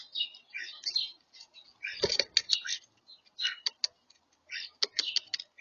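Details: European starlings (Sturnus vulgaris) feeding, giving a jumble of harsh chatters, wheezy whistles and clicks in quick, uneven bursts, with a few sharp taps mixed in.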